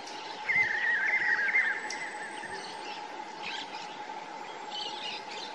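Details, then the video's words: Spot-backed Puffbird (Nystalus maculatus) in Ceará, Brazil, giving a quick run of high, thin whistled notes for about a second over a steady droning hum, with faint scattered chirps afterward. "Rapazinho-dos-velhos / Spot-backed Puffbird / Nystalus maculatus"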